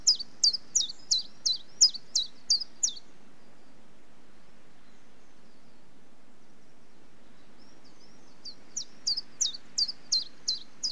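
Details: Common chiffchaff song: a run of sharp, high alternating chiff-chaff notes, around three a second, stops for about five seconds of quiet, then starts again; soft low rumble underneath.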